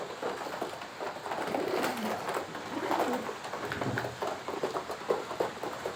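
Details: Free-range flock of fancy pigeons kept on a pigeon farm; dense, overlapping low cooing and murmuring runs throughout, with soft rising coos near the middle and scattered sharp clicks and flutters from the birds moving about.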